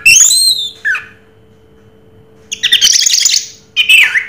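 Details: Orange-headed thrush, 'Raja Teler' song: a sweeping high whistle and a lower slurred note, a pause, then a harsh, scratchy chattering burst and a final descending whistle.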